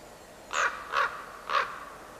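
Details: Common Raven giving three harsh, hoarse calls in quick succession, about half a second apart, against a quiet background; recorded 1 May alongside a willow tit.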